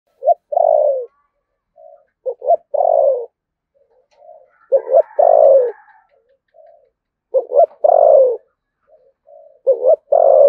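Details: Spotted dove from Đồng Nai, Vietnam, in the deep "thổ sấm" voice with "thúc gù" cooing: four phrases, each a quick stuttered double note and then a long falling coo. Softer, flat murmured coos fall between the phrases.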